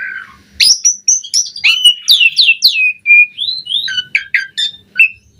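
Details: Jalak suren, the Asian pied starling, singing in gacor style as training material for other starlings, with a varied run of sharp downslurred whistles, chirps and squeaky notes packed closely, roughly one per second.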